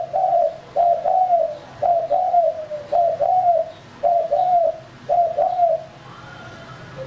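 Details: Lure-bird male spotted dove cooing steadily: paired, gently descending coo notes grouped into phrases about once a second, clear and dominant, fading out with a faint higher whistle at the end.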